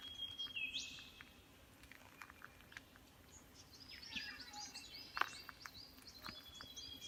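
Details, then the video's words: Wild birds singing in the Dandenong: scattered high chirps, thin whistles and a few sharp clicks from several birds, fairly distant, over a soft outdoor background hiss. "Birdsong from the Dandenong"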